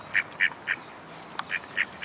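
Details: A male mallard on a foggy morning gives six short, nasal quacks at an even pace, about four per second, broken by a brief pause and a faint click.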